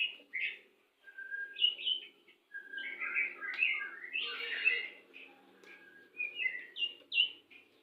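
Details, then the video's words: White-rumped shama, Pastol type, singing to bring a pair into breeding condition: varied whistles and chattering warbles with a steady flat whistle, in bursts separated by brief gaps, over faint background noise. "PANCINGAN MURAI BATU PASTOL CEPAT BIRAHI"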